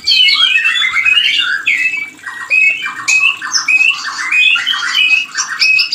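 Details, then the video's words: White-rumped shama mating call meant to stimulate breeding; rapid varied phrases of whistles, chattering and harsh notes, about a hundred note bursts per minute, nearly nonstop with one short lull. "Suara ini untuk memancing Birahi murai Batu yg macet Produksi"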